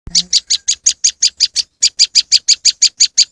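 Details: Moss wren song used as a bird lure: a fast, steady string of short, dry, high chirps, about six per second, after a brief low thump at the very start.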